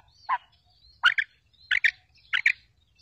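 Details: Female quail calling, as used to lure quails into traps: four sharp, abrupt notes, the later ones doubled into quick two-part bursts, spaced about two-thirds of a second apart, with faint thin whistles between.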